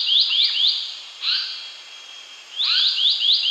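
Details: Indian paradise flycatcher calling: bursts of short rising buzzy chirps in rapid runs of three or four, with a lower downslurred note beneath, separated by pauses; quiet, clean background.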